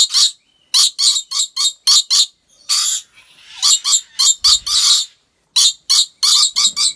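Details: Captive rainbow lorikeets at a wildlife park in Aceh Besar, Indonesia, utter rasping, high screeches in uneven clusters, some short and clipped, others drawn out, with a quiet gap near the end.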